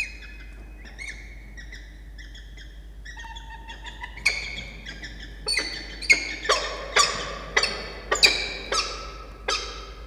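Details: Peregrine falcon pair at a campus nest box in Orange, New South Wales, Australia, 6 October 2021, the male requesting his egg-incubating turn: soft whining notes build into loud, harsh, repeated chips roughly every half second.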